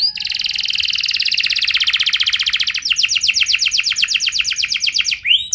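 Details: Canary performing ornate lure song to set other canaries singing: a long buzzy trill, then a run of crisp repeated swept notes, roughly four per second, closing with a rising slur.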